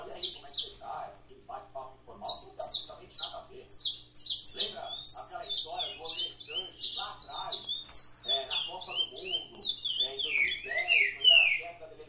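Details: Caged canary singing the fibra style at a breeder's aviary: long run of rapid, high-pitched, rattling and whistled phrases, building to dense sweeping trills near the end.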